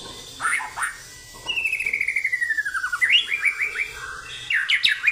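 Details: White-rumped shama in captivity, singing in a fierce, energetic fighting style: a long descending series of rapid whistled notes, then upslurred chirps repeated in a quick sequence, with a faint background hum.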